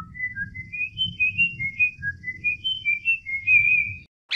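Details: Cockatiel song heard as a smooth, pure whistled melody of short notes stepping up and down in a tune-like line, over a low rumbling background.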